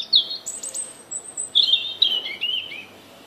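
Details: Singing European robin: a very high, thin drawn-out note, then a jumble of sweet warbled notes and falling slurs, delivered in short, uneven bursts.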